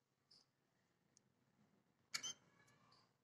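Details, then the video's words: A pet scaly-breasted munia (spice finch) at home gives a very soft song: thin, high squeaky notes and a brief rasping burst, ending in a drawn-out whistle, over a quiet indoor hush. "Cute Song by SPICE FINCH"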